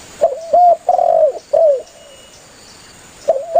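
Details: Spotted dove, a lively caller, calling its companions to draw them in for hunting: loud phrase of clipped rising coos, a long wavering falling coo and a shorter slurred note, then quiet before a new coo begins.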